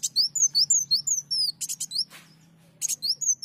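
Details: Sunbird song used as a lure recording: a rapid series of thin, high, downward-slurred whistles, with short dry buzzy bursts mixed in and a faint low hum underneath.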